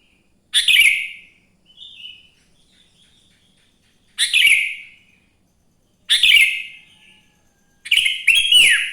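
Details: Wild sooty-headed bulbul in morning song, played to lure other bulbuls to sing: four short, rich, bubbly phrases spaced roughly two seconds apart, the last more chattering, plus one soft quiet warble early on.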